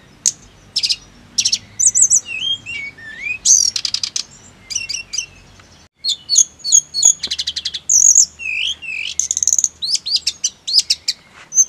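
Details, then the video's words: Snowy-browed flycatcher singing for a training track meant to make birds sing constantly: sharp high chips, rapid trilled runs and swooping whistled notes delivered in lively, irregular bursts with a short gap near the middle. "TERAPI TLEDEKAN GUNUNG AGAR CEPAT GACOR NGEROLL"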